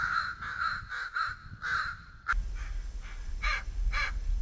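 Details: Bald eagle eaglets at White Rock begging during an early-morning feeding at 06:15: rapid, harsh repeated calls, then a sharp click and fainter calls over low rumbling background noise.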